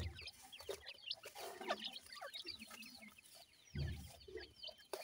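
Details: Grey francolin chicks, from a breeding setup, chirping while feeding: rapid high slurred peeps overlapping, with low thuds and a brief rumbling knock near the end.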